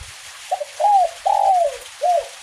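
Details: One cooing phrase from a kuk 1 spotted dove during drizzle, a short stuttered start followed by three soft hooting notes, the middle one long and gliding down, set against steady rain hiss.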